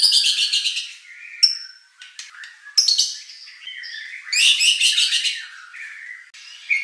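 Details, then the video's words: A White-rumped shama pouring out a rich, varied song of rapid trills, buzzy rattles and clear whistles, phrases bursting out every second or so. "shama bird beautiful song performance"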